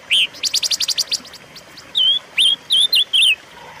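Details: Pancawarna, the silver-eared mesia, sings in a recording used to lure and train caged birds. A quick string of sharp, even clicking notes comes first, then four or five clear whistled notes, each bending up or down.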